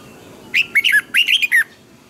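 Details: Red-whiskered bulbul singing a double, twisting phrase for song training. Two tight groups of bright, wavering whistles sweep up and down in under a second each. The groups are separated by a brief pause and sound loud and close.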